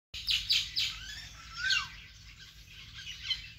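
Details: Birds in a vegetable garden: a run of bright, fast descending chirps early on, then a clear downslurred whistle, followed by softer scattered twitters from several birds over low background hum.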